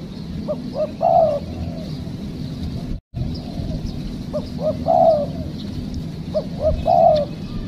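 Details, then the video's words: Spotted dove calling during a trapping session in which a wild bird was caught. Two short rising coos lead into a longer, drawn-out coo, a phrase given about every two seconds, three times, over a steady low rumble. "Mikat Tekukur,, Ajaran.. Poin ke2 dapat kuk2..."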